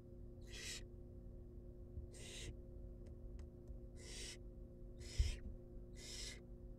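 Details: Barn owl chicks, wild and filmed in a monitored nest box during feeding, hiss in broad rasping bursts at uneven gaps, with faint clicks between and a low hum.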